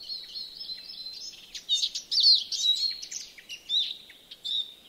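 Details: Finnish yard bird, a European greenfinch at Joroinen, delivering loose twittering song: soft chirps building into a louder burst of quick varied notes, then scattered single tweets against a light background hiss.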